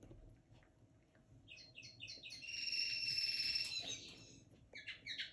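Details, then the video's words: Linnet hybrid hatched in 2022, beginning to sing: a soft quiet stretch, then rapid repeated chips leading into a long, bright, buzzy trilled note, followed by a few more quick chirps. "Mixto de Pardillo 2022. Los comienzos"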